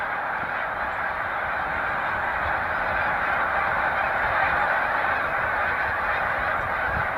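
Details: Large resting flocks of Snow Geese, Cayuga Lake, New York, in spring migration on 20 March 2021, produce a continuous, slightly quieter blanket of overlapping honks that swells gently midway.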